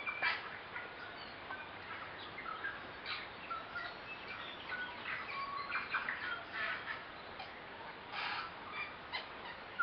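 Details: About eight tui socialising in a kowhai tree on a spring hike from Karekare falls, Waitakere hills, West Auckland, in September: scattered overlapping notes, clicks and clear whistles from several birds, recorded on a compact camera.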